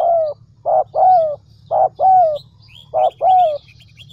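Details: Spotted dove kept as a decoy bird in Vietnam's Central Highlands. Low, soft cooing comes in three repeated phrases, each a short note followed by a longer drawn-out coo, about every 1.2 seconds. Faint chirps of other birds and a low hum are also heard.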